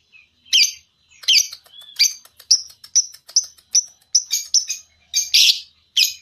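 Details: Lovebird used for singing-contest training: a series of sharp, high, slightly bent chirps, roughly one or two per second, some doubled, with soft ticking between them.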